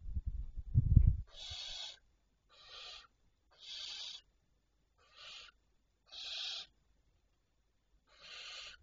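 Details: Nighttime barn owls on 25 May 2023 at 01:51. A loud low thud opens, then six evenly spaced, breathy hissing screeches, each roughly half a second long, come about every 1.2 seconds in otherwise quiet surroundings.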